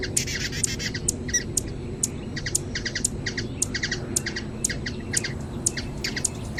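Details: Brazilian hummingbird song of rapid, high-pitched squeaks and ticks in a regular repeating series, several notes doubled, set against steady low background noise.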